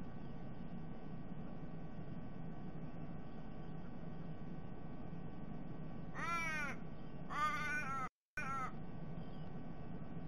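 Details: Steady low background rumble for six seconds, then three quick, wavering, nasal raven calls in close succession. A family of three ravens, including a fledgling begging a parent for food, was raiding a sea-eagle's nest for eggs in December 2021.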